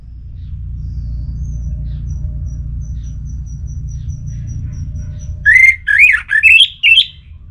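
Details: Orange-headed thrush, Singaraja, Bali, used to trigger other birds' song: a faint high repeated tick first, then four or five loud whistled notes, each slurring upward.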